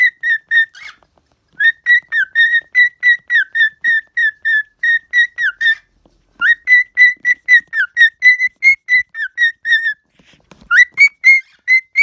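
A cockatiel sings a run of bright, clear whistled notes, quickly repeated with short pauses between phrases.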